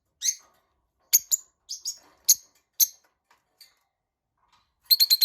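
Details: Tamed lovebirds calling with short, sharp, high-pitched chirps, some in quick pairs, irregularly spaced, ending in a brief burst of rapid harsh notes.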